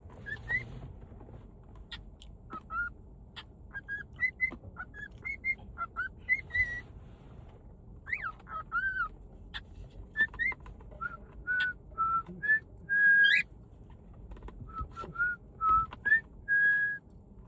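A cockatiel whistles a tune in clear, mid-pitched notes, some sliding up or down, with short pauses between.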